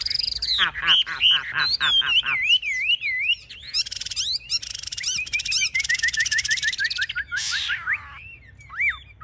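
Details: Chinese hwamei, caged and noted as a fierce fighter, wings high and tail spread: loud descending whistles, a wavy trill, dense buzzy chattering passages, then a rapid repeated series of short rising notes and a final harsh burst.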